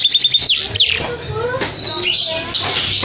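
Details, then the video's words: Canary song offered to stimulate silent canaries and tutor other birds; a few sharp repeated chips and swooping whistles open into a softer warbled, buzzy phrase. "KENARI GACOR ATAS BAWAH || cocok buat pancingan kenari macet bunyi & masteran burung"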